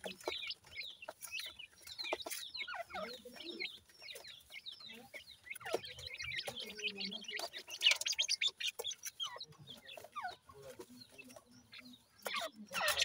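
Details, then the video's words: Baby francolin (teetar) chicks peep continuously, quick high notes about twice a second overlapping, some sharp clicks and a few soft low clucks mixed in. "baby teetar francolin chicks, partridge birds lovely awaz"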